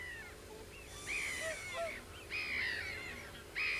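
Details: Common crane calls: loud, harsh, drawn-out trumpeting notes rich in overtones, several overlapping in bursts roughly every second, with a low steady rumble beneath.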